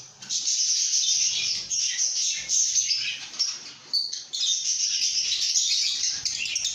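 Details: Lovebirds chirping and singing happily: a shrill, high, continuous twitter from several birds, broken by short pauses, then resuming in bright squeaky bursts.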